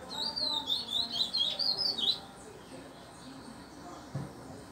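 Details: Chestnut-bellied seed finch, a Barão male, sings a quick, rich phrase of warbled whistles for about two seconds, then falls silent; a soft knock follows near the end.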